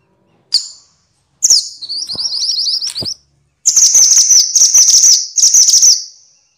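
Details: One sharp note, then a run of high, upslurred whistles, then long, dense, shrill buzzy chattering. These are minivets, called mantenan in Javanese and sepah in Indonesian, recorded noisy as training audio for songbirds.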